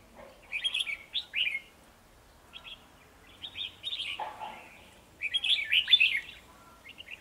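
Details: Red-whiskered bulbul, one of two males challenging a decoy bird at a trap, 9 December 2020: clear, loud bubbling phrases of quick up-and-down whistles, delivered in clusters separated by short pauses, with a few lower notes.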